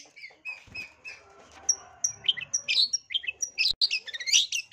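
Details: Long-tailed shrike singing a varied lure song with mimicked notes: soft warbled whistles build into a dense, chattering jumble of squeaky, buzzy high notes, over a low background rumble.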